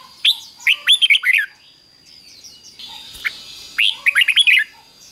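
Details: Two rapid phrases from a caged Red-whiskered bulbul in the doubled 'beun' style, fik-jik-fok, meant for chicks to copy. Each is a cluster of sharp, bouncy whistled notes, with a pause between and a faint high hum throughout.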